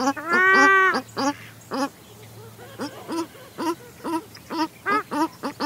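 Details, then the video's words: A pair of paradise shelducks calls close up: one long, rich, wavering call, then a string of short nasal honks about every half second, with a mallard quieter in the background; exact recording date unknown. "Paradise Shelduck / CU Calls Of Pair"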